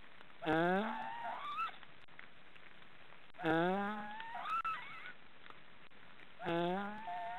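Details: Three black stork chicks snoring in their nest in an Estonian forest, giving three harmonic, upward-sliding nasal calls spaced about three seconds apart, each trailing into a reedy wavering tail, against low steady noise.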